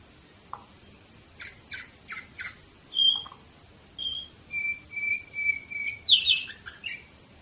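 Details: Canary of the Orpheus type, Varna, Bulgaria, 2018: scattered short chirps, then clear high whistled notes held in a steady row, ending in a bright rising burst.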